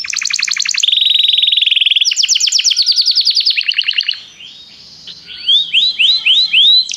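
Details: Canary song during training, one bird calling another to sing: fast rattling trills shifting between high and lower pitches, a quiet pause, then loud arched whistled notes repeated about twice a second.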